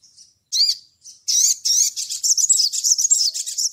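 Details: Ngleper-style crimson sunbird calling to a rival: a soft chip and one arched, rasping note, then a fast, continuous, buzzy high-pitched twittering run lasting over two seconds.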